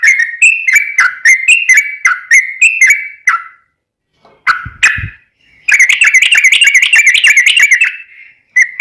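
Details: Lure song of a yellow-vented bulbul: a run of whistled dipping notes, a pause, then a fast warbling burst of wavering chirps.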